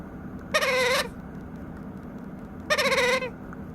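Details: Begging White-capped Pionus baby, about nine weeks old and hungry, utters two drawn-out, quavering nasal squawks about two seconds apart, each roughly half a second long, against a quiet indoor background.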